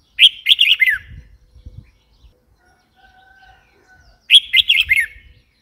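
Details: Red-whiskered bulbul (Pycnonotus jocosus), call.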